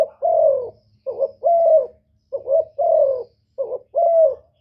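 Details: Spotted dove call used to rouse males: three clear phrases of soft, hollow cooing, each a quick doubled note followed by a long, slightly sinking hoot, evenly spaced.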